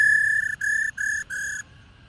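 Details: Female black-throated laughingthrush, wild-caught, making the 'ro ro' call meant to excite males into song: four flat, buzzy, harmonic-rich notes of even pitch, each about a third of a second, with short gaps between them.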